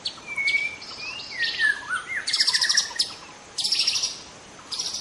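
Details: Young White-rumped shama singing wild in forest: a sequence of smooth gliding whistles, rising and falling, broken by loud raspy chattering bursts at intervals.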